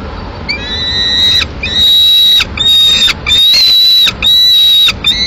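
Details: Peregrine falcon chick alone at a Madrid nest, 22 May 2016, calling for food after the male brings a swift; quiet start, then repeated long high whistled whines, slightly rising, separated by short breaks.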